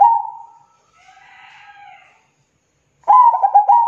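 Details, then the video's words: A zebra dove's sustained note tails off, faint softer sounds follow in the pause, then a loud new phrase of rapid staccato coos ending in a held, even tone. "SUARA PERKUTUT GACOR PANJANG"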